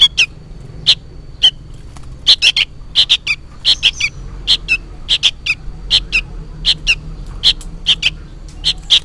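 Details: Sooty-headed bulbul chick calling loudly and insistently, apparently for its parent: dense, rapid series of short scratchy chirps, often doubled, continuing without pause over low hum.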